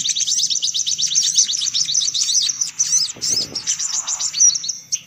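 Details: Sunbirds in a lure recording: quick series of sharp, high chirps forming a rapid trill, briefly broken by a low thud, then resuming with scattered notes.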